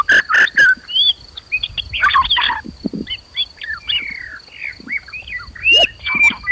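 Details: Agitated white-rumped shama song, used as a lure to rouse other shamas to fight and sing loudly. Rapid varied whistles, slurred rising and falling notes and harsh chattering bursts, with a faint steady high tone throughout.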